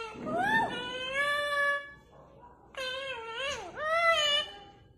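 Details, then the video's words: Parrot giving drawn-out, wailing harmonic calls that sound almost like an infant crying: a long rising-then-steady cry, a pause, then bent, dipping cries with a low rumble beneath. "top parrot natural voice sound tone 2021 | parrot sound best video"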